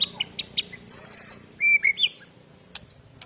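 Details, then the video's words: Agitated white-rumped shama, a fighter used to provoke other birds, giving sharp chips, a quick high trill and two loud clear whistled phrases in quick succession. "PANCINGAN BURUNG MURAI BATU EMOSI DAN FAIGTHER"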